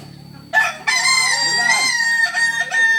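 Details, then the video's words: Solok-origin Kukuak Balenggek cock giving a loud, bright crow: a short sharp burst, then a sustained rich harmonic note with slight wobbles, ending in two quick clipped syllables, over a low background hum. "Ayam kukuak balenggek asli solok"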